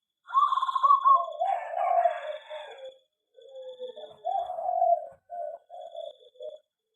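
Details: Aviary-kept zebra dove delivering staccato, bubbling coo phrases: a rapid rolling burst, then shorter separate coos trailing off, over a faint high tone.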